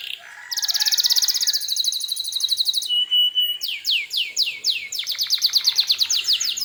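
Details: Canary song meant to provoke other canaries into answering: a long fast high trill, a short pure whistle, then series of sweeping down-slurred notes repeated in quick rhythm, all high-pitched and clear.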